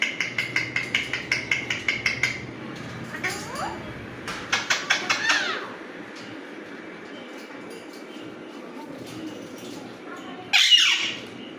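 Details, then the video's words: Alexandrine parrot with its natural voice: a quick run of about ten harsh, raspy notes over two seconds, a shorter burst of similar notes a little later, a quiet stretch, then one loud grating squawk near the end, indoors. "Alexandrine parrot natural sounds || Raw parrot natural voices"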